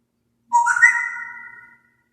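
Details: African grey parrot kept as a pet: one clear whistled note about a second long, starting low and adding a higher steady tone, fading out in a quiet room.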